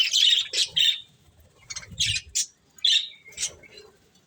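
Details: Budgerigars eating corn give sharp, separate high chirps and short squawky notes, spaced by quiet gaps, with soft low rustling in the background.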